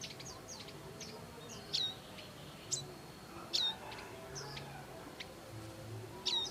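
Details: Wild bar-winged prinia adults caring for young give brief high ticking notes and thin downslurred chirps, scattered irregularly roughly once a second, against soft ambient noise.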